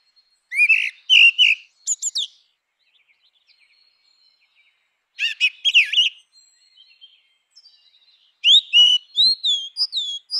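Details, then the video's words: Grey-winged blackbird singing three separate bursts of rich, fluty whistled phrases, each a quick cluster of warbling notes with short pauses of silence between; background quiet. "Canção do melro com asas cinzentas! Som de melro com asas cinzentas! Chamada de melro com asas cinze"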